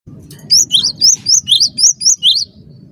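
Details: Cinereous tit singing persistently, used as a master song for training caged birds: a rapid series of about eight clear, high whistled notes, each sliding up then down, in two-note pairs over two seconds, above a low background rumble.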